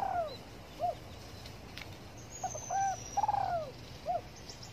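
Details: A spotted dove sunning itself in the morning gives soft, low, hollow coos in short phrases with brief gaps, over a quiet background with a faint high thin whistle from another bird.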